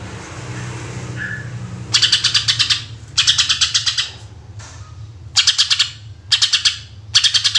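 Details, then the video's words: Greater green leafbird, rapid 'tembakan' singing meant as a lure: after a quiet start with one soft whistle, five bursts of fast grating pulses follow in quick order over a low rumbling background. "Cucak Ijo Gacor Full Tembakan Suara Asli Jernih"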